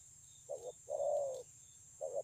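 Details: Spotted dove, wild-caught bird with a fine voice, Kon Long, 9 June 2020: a short low coo followed by a longer, even, hollow coo, then another short note, against faint background hiss.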